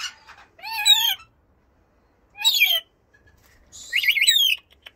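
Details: Blue-streaked lory uttering three separate loud calls, wavering, buzzy screeches with rippling pitch, spaced about every one and a half seconds.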